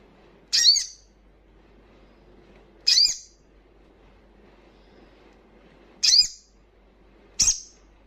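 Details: Wild crimson sunbird calling loudly with four isolated, very high, sharp chips spaced one to three seconds apart over a quiet background.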